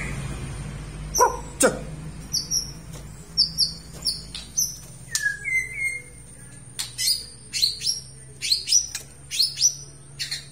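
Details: Aceh white-rumped shama singing actively: sparse clicks and sharp notes, short high whistled phrases, a pair of lower slurred whistles midway, then bursts of clicks mixed with high whistles.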